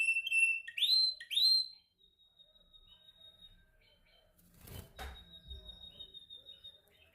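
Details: A canary practising its song during training opens with loud upward-sweeping whistled notes, then falls quiet behind faint clicks, taps and soft background rustling.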